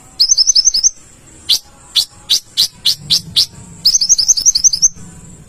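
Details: Olive-backed sunbird alternating a quick high rippling trill with a run of seven separate sharp chip notes, then another rippling trill; faint low hum underneath.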